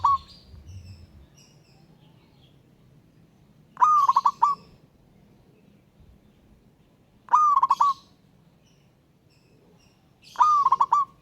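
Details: Zebra dove from the wild calling a rival with repeated phrases every three to four seconds, each a rising coo breaking into fast stuttering notes, over a low background hum.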